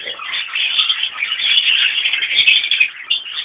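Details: Fischer's and Rosy-faced lovebirds in a mixed colony at a freshwater drinking spot; many high, squealing and chirping voices blend into a steady shrill chorus that swells and dips slightly over a few seconds.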